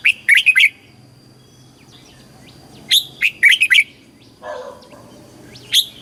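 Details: Red-whiskered bulbul song of the southern master pattern, played for caged birds and young learners; loud chirpy whistled bursts of three or four notes, a pause, then a repeat, with a soft low background murmur.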